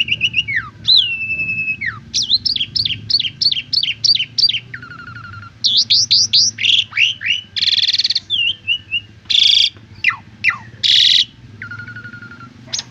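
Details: Asian pied starling song for training other birds: a long varied sequence of whistles, rapid trills, harsh buzzy bursts and sharp downslurred notes.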